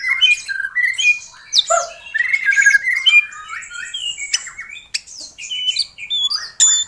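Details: White-rumped shama in full song, used as a lure recording for caged shamas that have stopped singing. A rich, continuous medley of whistles, slurred notes, chatters and sharp clicks changes pitch constantly with hardly any pause.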